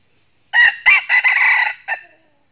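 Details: A wild red junglefowl of northern Vietnam crows fiercely in challenge at a trapped decoy: a loud, harsh crow in four bursts, two short opening notes, a long ragged middle, and a brief clipped ending note.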